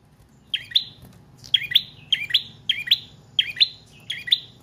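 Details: Prinia song for luring and for training cage birds: bright, sharp doubled chirps come in quick succession after a short silent start.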